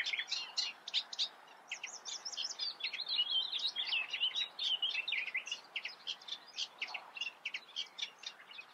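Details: Eurasian reed warbler delivering rhythmic, chattering song, about four harsh notes a second, with a faster, busier churring passage in the middle, outdoors with low background noise.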